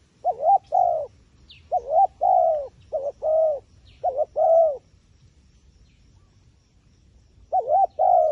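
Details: Wild pigeon repeating its two-part coo, a wavering note then a held, falling one, four times in quick succession. After a pause of about three seconds it calls again. Faint high chirps are scattered between the phrases.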